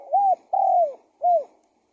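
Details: Three-note spotted dove coo used as a lure for wild doves: an arching opening note, a long smoothly falling coo, and a short downward closing coo, clear and unhurried.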